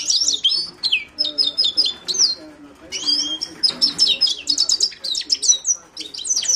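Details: Himalayan goldfinch giving a lively song of clear, high twittered phrases, some dropping in pitch, with repeated chirps and a short pause midway.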